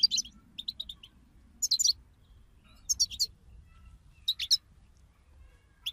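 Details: European goldfinch chorus used to encourage another goldfinch to sing; short, separated clusters of sharp, high twittering notes about once a second, with quiet gaps between them.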